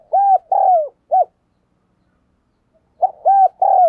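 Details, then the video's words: Keen decoy spotted dove calling to provoke rival doves: low, hollow arched coos grouped in phrases of three to four notes, a second phrase following after about two seconds of silence. "Chim Cu Mồi Gù Thúc Bổi Nghe Hăng Nên Và Rất Siêng Gáy"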